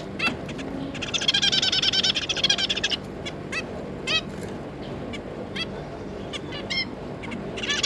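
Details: Zebra finches, a pair with three juvenile young: a dense burst of rapid nasal chattering from one to three seconds, then scattered short honking calls spaced about every half second, against low steady hum.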